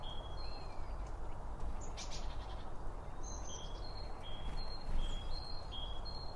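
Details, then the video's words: Wild birds feeding around a bird feeder, recorded binaurally with two microphones beside the feed: thin, high whistled chirps, short level notes repeated about twice a second over a steady low rumble. "BIRD FEEDING SOUNDS"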